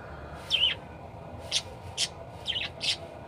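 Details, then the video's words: An energetic parakeet, recorded to train other birds, gives five high, scratchy chirps, the first with a bending, wavering pitch, roughly every half second over low background hum. "Suara burung parkit gacor"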